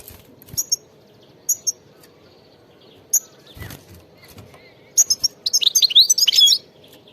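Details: European goldfinch, a wild bird, in bitbita-style song: scattered sharp high chips at first, then a lively burst of squeaky, rising and falling twitters lasting about a second and a half.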